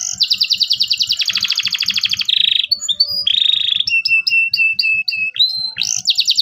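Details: Local canary in full song, meant to prompt young canaries to sing: rapid pulsed trills and buzzy rolls, a row of short repeated whistled notes, then a rising sweep into another fast trill.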